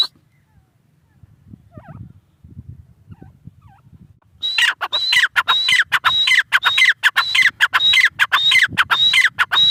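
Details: Grey francolin, known locally as teetar: faint, distant calls for four seconds, then a loud run of rhythmic phrases, each a high whistled note dropping into a rasping, ringing trill, repeated almost continuously.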